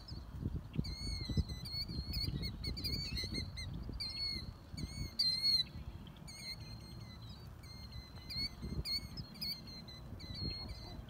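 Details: Killdeer parents at Whalon Lake, Naperville, Illinois, on May 1, 2020, calling while performing broken-wing displays near their chicks: shrill, high piping notes, several a second and often doubled, in an agitated stream over steady wind rumble.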